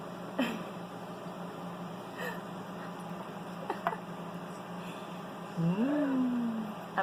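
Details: Pet Amazon parrot burping indoors: a low, guttural, slightly falling tone lasting about a second near the end, preceded by a few faint clicks, with the owner talking quietly around it.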